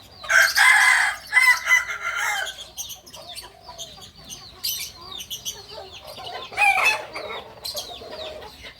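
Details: Kukuak balenggek cock from Solok, West Sumatra, delivering a loud multi-part crow of three or four stuttering syllables, then a pause filled with small-bird chirps before a short, sharp crow returns near the end.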